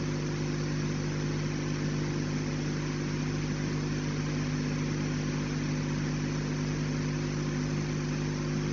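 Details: Loud, steady engine drone with a constant low hum and dense noise throughout, no animal sounds.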